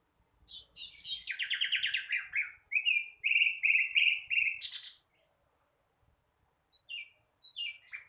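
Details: Flycatcher, a young bird still learning to sing, delivering rapid strings of buzzy, stacked chirps in a steady rhythm for about four seconds, followed by a few sparse high, falling notes.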